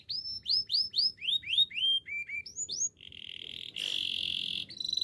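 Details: Singing canary delivering loud rising whistled notes about four per second, which drop to lower quick pairs, then flatten into an even buzzy roll and a harsh, dense burst of sound.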